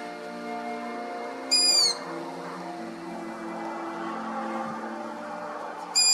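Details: Long-eared owl (Asio otus) owlets in the UK begging: two high, squeaky, rusty-hinge calls about four seconds apart, over a steady low droning hum, while adults hunt voles nearby.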